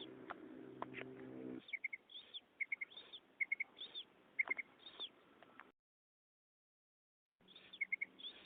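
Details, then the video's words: Female common quail call, known locally as madi ki kirak, played to lure males during net hunting with a pointer dog: short paired high chips repeated about every second among soft whooshing notes, a low droning hum at first, then a brief silence. "amazing female quail sound | مادی بٹیر کی زبردست آواز شکار کے لئے"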